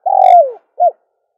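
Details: Dove call for attracting doves: one long, full, slightly descending coo followed by a brief, clipped second coo, against a silent background.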